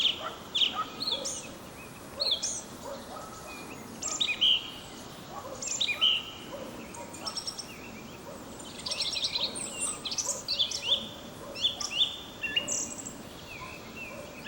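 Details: Wild song thrush in spring, perched high on an ash at an old oak wood's edge near Sudak, Crimea, singing to mark territory; loud varied whistled and rattling phrases in bursts every second or two, separated by short pauses.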